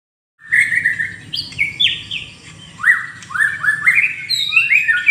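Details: White-rumped shama singing in the morning: a rich run of clear whistled phrases, some sliding upward and some dropping, shifting between pitches in quick uneven bursts, with a faint low hum beneath.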